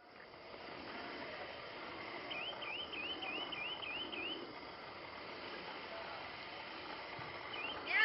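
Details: Lemon-chested greenlet (Hylophilus thoracicus), song.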